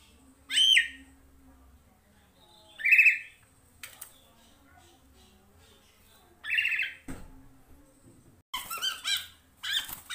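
Black-naped Oriole giving three loud, harsh nasal squawks a few seconds apart, then a jumble of rougher calls and clatter indoors.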